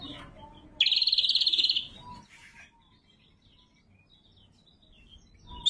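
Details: Greater green leafbird, known locally as cucak kombo, gives one loud buzzy trill of rapid even pulses lasting about a second for luring and training birds, followed by faint soft notes and near silence.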